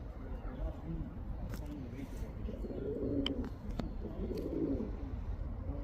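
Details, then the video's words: Cooing of a male pigeon calling a female: quiet murmuring at first, then two fuller, throaty rolling coos in the second half, with a few faint clicks. "Male pigeon cooing sound | Pigeons sound | male pigeon calling female pigeon"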